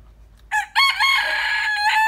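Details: Rooster of the large đại kê type, praised for its fine crowing: a short opening note, then one long harmonic crow held steady for over a second, ending abruptly; quiet background.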